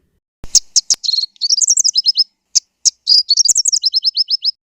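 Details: A southern African White-bellied Sunbird gives high, sharp chips and quick twittering, then a run of about five rapid downslurred notes, the whole pattern repeated twice; no other sounds are heard.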